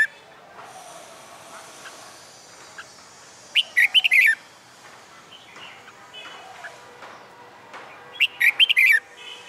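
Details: Red-whiskered bulbul kept caged and trained for fighting song repeats a lively phrase of four or five fluty, slurred whistles about every five seconds; faint background bird calls and hiss.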